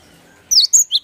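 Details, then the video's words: Cinereous tit song played as a lure to get other birds to sing: three quick, high, sharp chirped notes after a short quiet pause. "Pancingan Gelatik Batu Langsung Bunyi!"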